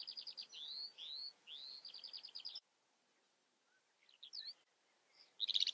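A Eurasian skylark pours out high, rapid trills and slurred whistles, briefly breaks off, then resumes with scattered chirps and a bright trill.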